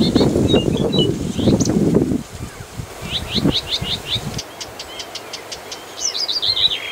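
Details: Blyth's reed warbler, a bird holding a stationary territory at Galtås just north of Glommen, Falkenberg, Halland, Sweden, singing high chirps and short series of rapidly repeated notes, with a loud low rumble at the start.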